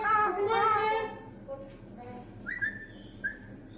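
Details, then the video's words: Talking green pet parrot, said to say "Allah" and announce that guests have come; a burst of buzzy, speech-like chatter followed by two brief rising whistled notes. "আল্লাহ বলছে মিঠু টিটু দেখেন কুটুম আইছে বলছে"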